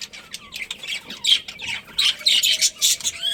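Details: Chirping budgerigars in a colony, short whistled and harsh chirps building to louder rasping bursts about every third of a second.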